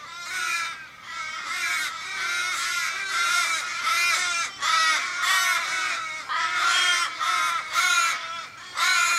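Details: Wild Australian ravens in suburban Kellyville, Sydney, on 1 July 2012, circling a struggling raven possibly hit by a car. Loud overlapping cries in quick succession, harsh and harmonic, each tailing off with a downward slur.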